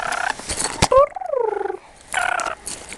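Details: Pet lorikeet making silly talking sounds indoors: harsh noisy chatter, then a clear tonal cry sliding slowly downward in pitch, and another burst of raspy chatter.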